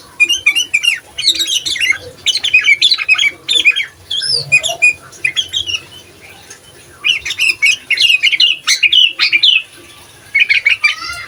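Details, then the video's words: Gacor sooty-headed bulbul song for training other bulbuls, said to provoke rivals: dense bursts of chattering, bubbling whistled notes in phrases of one to two seconds, separated by short silences. "Suara Asli Burung Kutilang Gacor Bikin Emosi Kutilang Lain, Cocok Untuk Masteran Kutilang Bahan"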